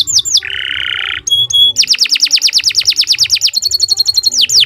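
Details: Canary in lengthy, lively 'gacor' song suited for bird training: sweeping high notes, a harsh mid-pitched buzz, clipped double tones, then a long series of rapid repeated downward sweeps and a high trill.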